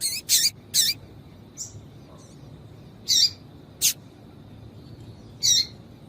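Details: Double-collared seedeater female calling, a sound used to stir up males: short bright chips in irregular runs, two close together, then sparse single notes several seconds apart, a few fainter squeaks between them over a quiet background.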